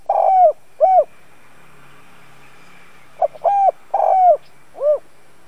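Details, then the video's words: Lure spotted dove calling in the 'chiêu thúc bổi' style used to draw wild doves: two mellow coos, a pause, then a quicker run of three soft, downward-bending coos. "Tiếng cu gáy giọng hay CHIÊU THÚC BỔI\ cu gáy mồi cây kích bổi"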